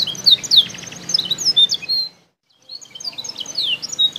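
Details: Canary from Comal, Pemalang, Central Java, Indonesia, singing quick high twittering phrases and whistled sweeps, broken by a brief silent gap before the song resumes more faintly.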